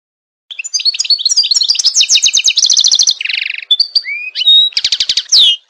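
A goldfinch sings a fast, varied twittering song of high chirps, rapid trills and a few buzzy and rising notes, with no other sounds.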